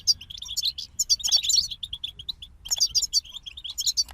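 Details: Bright, tinkling song from a group of European goldfinches: quick chirps and liquid twitters run together in lively phrases, with one short pause midway and a faint background hum.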